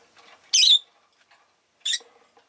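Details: Two loud, grating shrieks from pet rosy-faced lovebirds, a group that was calling often that day, the first longer and buzzy and the second shorter, separated by more than a second of near silence.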